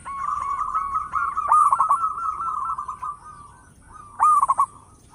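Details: Local zebra dove singing loudly, a voice suited as a lure for other birds: a run of short cooing notes, then louder rolling trilled coos at about 1.5 and 4.3 seconds.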